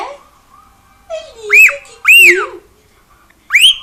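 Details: Pet cockatiel in a Brazilian home giving low chattering notes followed by three loud arched whistles, rising then falling.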